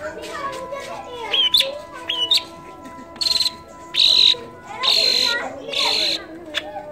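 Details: Pented (long-tailed shrike) mimicking other birds such as kolibri, trucukan, lakbet and canary to train songbirds: a few rising whistles, then long buzzy, sustained high notes repeated about once a second, over a low hum.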